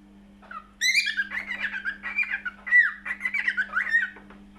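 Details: Cockatiel singing indoors: a lively run of chattering, warbled notes and squeaky rising and falling whistles lasting about three and a half seconds, over a steady low electrical hum.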